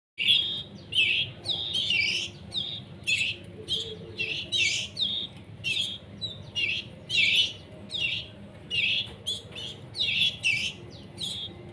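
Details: Young canary chicks being hand-fed while still learning independence, giving harsh, buzzy begging chirps in quick bursts, roughly two per second, steady and insistent across the whole stretch, with faint room hum beneath.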